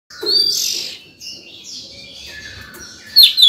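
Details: Oriental magpie-robin in breeding condition singing loudly in the morning, used to lure wild birds and train young birds; a bright buzzy whistled phrase, then softer warbling and a sharp high burst at the end.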